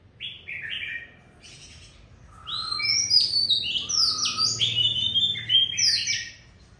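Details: Oriental magpie-robin song from a spirited wild-caught adult: a brief opening phrase, a short lull, then an energetic burst of sharp whistles, downslurred notes and a low warbled note, with light background hum.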